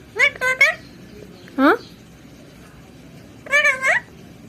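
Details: Talking parrot copying human words in a small room, giving quick clipped syllables, a single falling note, then a longer wavering phrase.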